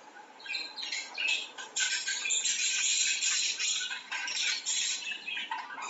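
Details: Budgerigar; mating chatter; courtship during mating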